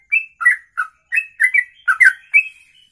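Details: Bird delivering ropelan song in a single breath: clipped whistled chirps, some doubled or slurred downward, in a quick uneven run, with an otherwise clean, quiet background.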